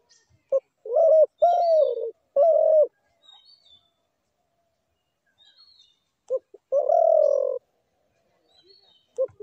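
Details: Spotted dove call, a recording used as a trapping lure: a clipped note and three hoarse coos in quick succession, a silent stretch, then another short note and one long, slightly falling coo. Faint chirps of other birds are heard in between.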